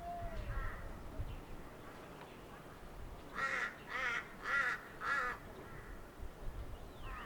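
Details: Crows in the wild: four harsh, rasping caws in quick succession in the middle, with faint caws before and after, over a low rumbling background and a thin whistled bird note.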